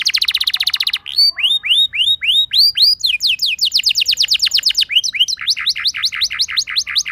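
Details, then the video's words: Canary song aimed at triggering other canaries: a rapid buzzy trill, then a string of curved, ringing whistles about three per second, a rolling rattle, and further quick repeated chirps. "Cukup Putar Sebentar Saja Burung Kenari Lain Bakal Langsung Ikut Gacor Ngerol Mewah Dengan Pancingan"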